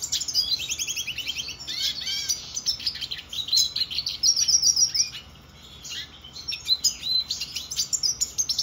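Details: A black-headed siskin (notata), recorded in 2024, sings a fast, unbroken jumble of high twitters, quick trills and buzzy wheezes with brief pauses, against a faint background hiss.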